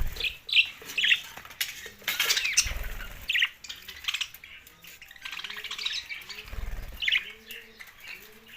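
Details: Budgerigars chirp and warble in uneven high bursts with sharp squeaky notes. Repeated low coos from a dove and a few dull thuds are heard alongside.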